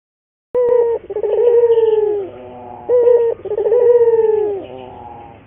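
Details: Local collared dove song for training and luring doves into frequent singing: a clear opening note followed by a rapid rolling stutter and a long, gently falling coo, given twice in succession against a quiet background.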